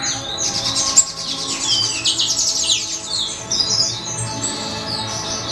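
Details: Begging from a hand-reared C. frontalis parrot chick: high, scratchy chirps and quick squeals pour out in a steady stream, with a brief sharp click near the start and a faint low hum underneath.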